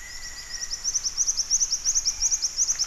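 A black-winged flycatcher-shrike gives a fast, very high, thin series of sharp notes, about eight a second, growing louder; a faint steady whine sits underneath.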